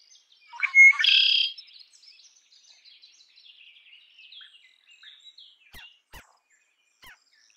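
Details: One red-winged blackbird song, whistled note into a harsh buzzing trill, followed by scattered faint chirps from other birds and a few sharp clicks.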